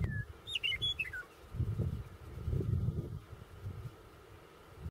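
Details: A Western Meadowlark sings by a roadside south of Burlington, Cheyenne County, Colorado, on 2/25/2016: one brief, flutey phrase of clear whistles tumbling downward in pitch, then low rumbling wind or traffic noise takes over.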